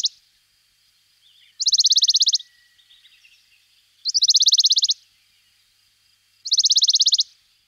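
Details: Western Bonelli's warbler (Phylloscopus bonelli) singing a dry, rattling trill of rapid high notes, each under a second, repeated every two to three seconds.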